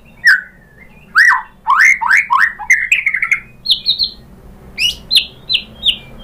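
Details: White-rumped shama, a female calling the male, used as a lure to provoke singing: loud, clear whistled notes sweeping up and down, given singly or in short bursts with pauses between them.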